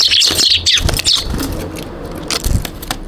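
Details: Eurasian tree sparrows at a balcony in Japan on 2 January give a quick burst of bright, high chirps in the first second, then fall quiet under steady traffic noise.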